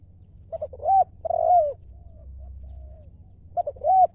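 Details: Spotted dove cooing in the Thai 'lio' style: two short clipped notes, then two long, arched, mellow coos. The phrase starts again after a pause of about two seconds. Low hum in the background.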